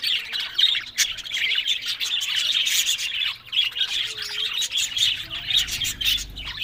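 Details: Several happy pet budgerigars warbling at once: dense, unbroken high chattering made of rapid chirps, twitters and scratchy notes, with occasional sharper squawks.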